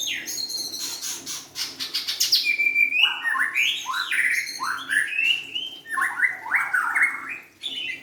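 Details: Vigorous song of a young forest-caught white-rumped shama: a burst of fast ticking notes, then repeated rising, slurred whistles and warbled phrases in quick succession, loud and varied throughout.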